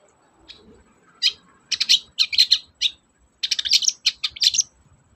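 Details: Long-tailed shrike song played as a lure to prompt reluctant shrikes into singing. Bursts of harsh, rapid chattering notes are grouped into phrases with short gaps, over a faint low background rumble.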